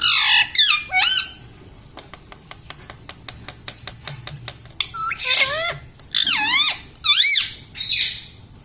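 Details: Pet parrot indoors, trained to say "mummy", "papa" and "radhe radhe": opening harsh squawks, a steady train of soft clicks, then several loud swooping, wavering syllables in quick succession.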